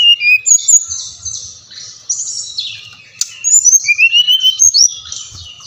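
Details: Brown-chested jungle flycatcher (Bali type) in a stimulation recording for caged birds: varied high whistled phrases, downslurred then rising glides, with rapid warbled notes and a sharp click midway.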